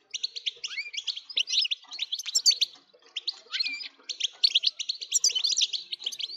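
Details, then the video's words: European goldfinch delivering a continuous stream of bright, chattering twitters and short buzzy trills, used to spur goldfinches into unbroken song. "لتهييج الحسون ستجعله يغرد من دووون انقطاع"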